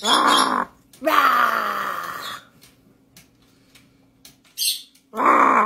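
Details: Pet macaw indoors giving its morning rawr greeting alongside its owner: harsh, raspy bursts, the first short, the second longer and sliding downward, then a quiet gap before another loud rasping burst, with faint room noise between.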